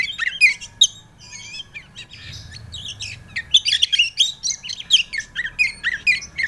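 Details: Lure song of an Oriental magpie-robin for untrained birds: scattered whistles and short trills, then a dense, fast sequence of sharp, rising and falling chirps, over a faint constant hum.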